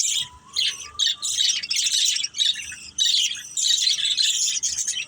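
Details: Playing pet budgies produce lively, overlapping chirps and harsh squawky warbles in steady waves, with a few faint, clean whistled notes at the start beneath the busy chatter.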